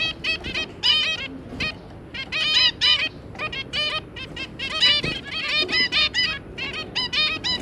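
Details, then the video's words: Zebra finch family of two adults and three juveniles: dense bursts of nasal, buzzy harmonic notes, strung together rapidly in groups across the whole stretch. "Zebra Finch - Jobby and Yongi, and their 3 juvenile babies"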